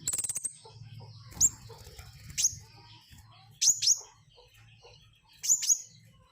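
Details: Flowerpecker uttering piercing, very high, short notes, several in close pairs, spaced one to two seconds apart after an opening burst of rapid high ticks, over a steady low hum.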